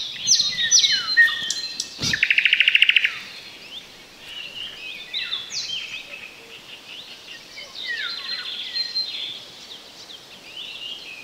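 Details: Close roadside Thrush Nightingale, heard but not seen, in bushes within the Chornobyl Exclusion Zone, Ukraine, 2020; rich song of whistles and chirps broken by a loud dry rattling burst, followed by quieter varied twittering and slurred notes.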